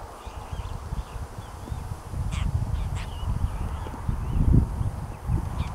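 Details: An Apostlebird near Jondaryan, Queensland, gives a few short, harsh, grating calls, with faint squeaky chatter in between, over a loud, steady rumble of wind.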